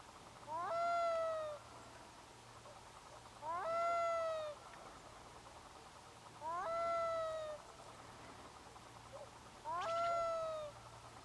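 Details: Black-throated loon calling across a bay as grey mist comes in from the sea: four evenly spaced cries roughly every three seconds, each a quick upward slide into a sustained, slightly falling nasal tone, with a soft background hum.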